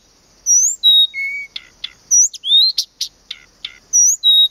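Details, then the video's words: At Planta in Poland's Podlaskie region, a Blyth's reed warbler delivers a varied song. Clean rising and level whistles alternate with harsh buzzy notes and sharp clicks in quick succession, and the opening whistles come back at the end. "zaroślówka (Acrocephalus dumetorum)"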